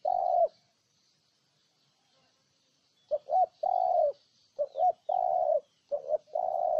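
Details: Spotted dove, from Ninh Thuận, utters a single long coo, falls silent for over two seconds, then resumes with a rapid series of paired hoots and drawn-out coos.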